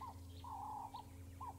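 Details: Turtle dove calling at sunrise on 5 July 2017 at Djuma Game Reserve during a safari. Clear tonal notes: a short arched note, a longer level note, then brief repeats, with faint higher chirps over a steady low hum.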